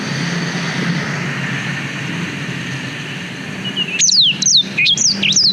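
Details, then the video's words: Black-throated canary song used to train young canaries, recorded with a GoPro Hero 5: low background rumble for four seconds, then a quick series of high, sharp falling whistles. "Suara Blackthroat Durasi Panjang Untuk Masteran Kenari"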